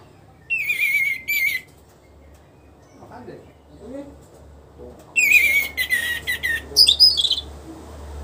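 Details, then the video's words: Orange-headed thrush after moult, caged, starting to sing freely: two bright whistled phrases around the start, a few faint low sounds in between, then a longer run of varied whistles and chirps near the end. "memancing suara anis merah setelah ngurag"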